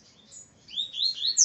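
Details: A captive male double-collared seedeater, being brought back into singing form for a competition, gives a quick run of high, thin whistled notes that slur up and down, ending on a sharper, brighter note, over a faint low murmur.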